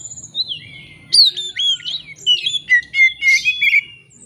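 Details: Rich, varied white-rumped shama song used to draw a rival into singing back, with sliding whistles, sharp chips and quick downward-swooping notes in a dense, energetic run.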